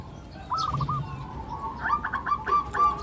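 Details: Local zebra dove giving soft, rapid bubbling coos in quick staccato bursts, repeated twice, over a faint outdoor background hum.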